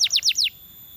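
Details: Canary singing a quick series of four bright notes, each sweeping sharply down from high to mid pitch, spaced about a tenth of a second apart, then falling silent.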